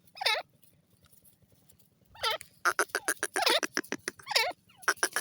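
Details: Grey francolin (desi teetar) calling: loud harmonic notes sweeping sharply upward, one isolated, then a rapid burst of harsh clipped notes and further rising calls.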